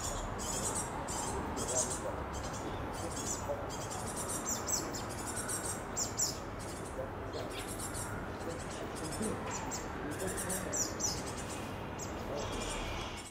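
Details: Young great tits calling to be fed, two juveniles and an adult in a new neighbourhood of Paris's 15th district: repeated harsh, high hissing begging bursts through the recording, against constant low city noise.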